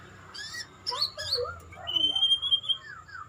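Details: Bowing-style ('sujud') song of a white-rumped shama: quick high chips and downslurred notes, then a long, bright, level whistle followed by softer falling warbles.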